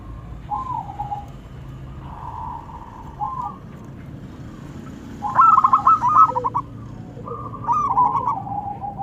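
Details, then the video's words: Male and female local zebra doves calling back and forth: several soft cooing phrases with rolling notes, then a louder burst of quick stuttered coos and a further answering phrase, over low background rumble. "Suara perkutut lokal saling sahut."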